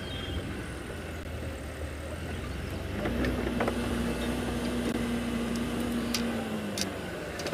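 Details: A vehicle engine idles and then steadies into a low drone, with scattered clicks and outdoor background, but no clear animal call.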